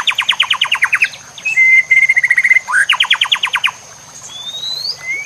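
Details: White-rumped shama song, used to train other shamas, with nature sounds and trickling water: bursts of quick rising whistled strokes separated by a thin buzzy trill, then a pause and a few long upward whistles.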